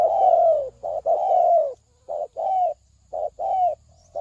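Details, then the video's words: Decoy spotted dove calling to lure birds into a trap. It gives a string of soft, rough coos, with short notes paired with longer, gently falling ones in repeated two-part phrases. A faint background hum is present. "tiếng chim cu mồi เสียงนกเขาใหญ่"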